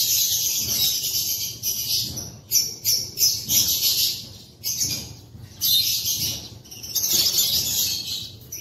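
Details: Caged African lovebirds on their perches in an aviary one April morning give a steady stream of sharp, high, twittering chirps, many birds overlapping in irregular surging bursts with brief dips between.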